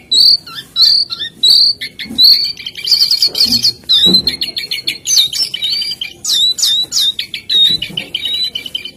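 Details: Brown-chested jungle flycatcher, locally called jongkangan, singing eagerly: short high whistled phrases repeated roughly every half second, then a busier stretch of chattering trills and sharp rising notes.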